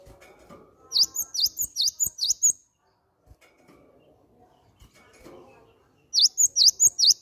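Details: Cinereous tit (gelatik batu) calls used as a lure to make other birds sing: a rapid run of about seven high, sharp notes that dip then rise, a quiet gap with faint rustling, then another run of five similar notes.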